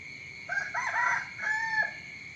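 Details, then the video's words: Rooster crowing in the morning: two harmonic, slightly wavering phrases, the second ending in a falling tail, over a steady high background whine. "เสียงไก่ขันตอนเช้า เสียงไก่ขันฟังต่อเนื่อง ชัด100%"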